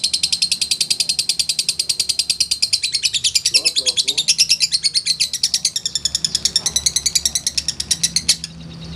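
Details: Caged lovebird singing a long ngekek chatter after a long time without being hung out: a continuous, high, buzzy run of rapid notes, about three per second, sustained for over eight seconds, with faint voices in the background.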